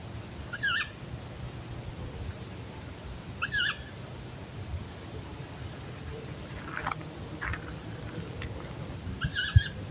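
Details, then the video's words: Two young tawny owls, found high on a branch in a park in June, give three harsh, hissing screeches about three seconds apart over a steady low rumble; young owls are silent by day and noisy at night. "młode puszczyki milczą za dnia i piszczą w nocy"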